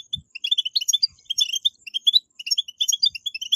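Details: European goldfinch betbetat song aimed at making captive goldfinches sing: rapid, liquid twitter of high chirps strung tightly together, with a few muffled low knocks.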